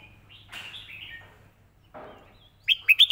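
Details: Red-whiskered bulbul easy model song used for teaching birds: soft warbling whistled phrases and a quiet rasp, then three loud bright chirps closing the phrase.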